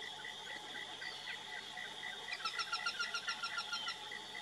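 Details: Aplomado falcon giving a fast, harsh chattering series of about a dozen evenly spaced notes in the second half, over a steady pulsing insect-like drone and a constant high whine.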